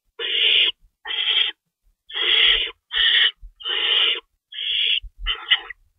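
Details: Owls at their nest during feeding time before dawn, 3:53 AM, March 25, 2012, two rabbits in store: seven loud hoarse hissing shrieks in irregular succession, plus low scuffling bumps.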